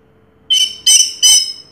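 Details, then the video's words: Orange-headed thrush, a first-place contest winner in 2022, uttering three harsh, ringing notes spaced about a third of a second apart, each a bright burst with a buzzy edge. "Suara Burung Anis Merah Juara Pertama Tahun 2022"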